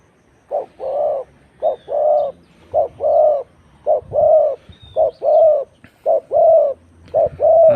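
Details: Spotted dove used in decoy luring (ต่อกิ่ง) at site number 41. Loud, clear cooing: a short low note then a longer, steady, mid-pitched coo. The pair repeats about once a second, seven times, over faint background hum.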